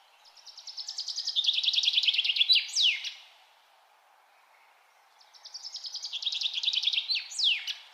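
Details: A bird sings twice outdoors. Each phrase builds from soft, rapid high notes into a loud rattling run, then finishes with a steep downward swoop, about five seconds apart.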